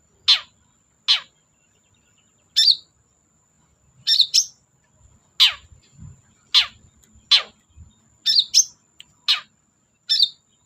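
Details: Lively long-tailed shrike, used to lure silent shrikes into singing: clean, sharp notes that drop steeply in pitch, given singly or in quick pairs at uneven gaps, some doubled with buzzy high elements, over a near-silent background.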